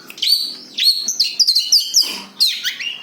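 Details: A brief burst of the cendet's own song without mimicry, used for luring birds: shrill chirps and slurred high whistles ending in a falling sweep.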